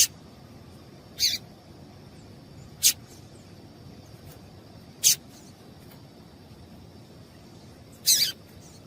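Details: Female yellow-bellied seedeater calls, used to get a male singing: four short, sharp high chips spread irregularly over nine seconds, with a faint steady high tone behind them.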